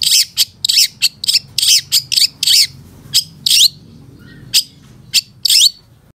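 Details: Long-tailed shrike training song rich in fill-in phrases. A fast series of dry, scratchy high chirps about twice per second breaks off, then sparse sharp notes and a final rising whistle follow.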